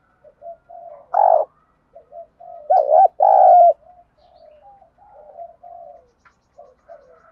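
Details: Spotted dove 'thúc gù' coo in 'đồng thổ' voice, used to trigger replies from a decoy dove: soft opening notes, a loud single coo, a loud two-part coo, then trailing quiet murmurs.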